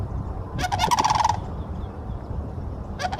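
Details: Sandhill cranes in Florida give one short, rolling, trumpet-like rattle lasting under a second, followed by quiet low rumble and the start of another call at the end.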